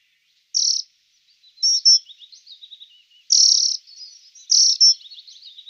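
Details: Dunnock: short bursts of high, thin warbling notes, four main phrases separated by brief pauses, each trailing into softer twittering, in otherwise quiet surroundings.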